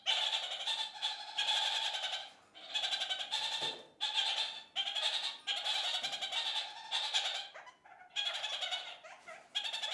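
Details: Kakariki flock communicating, a chorus they raise several times a day: dense, harsh, cackling chatter in overlapping bursts of one to two seconds, separated by short pauses, with several birds calling at once.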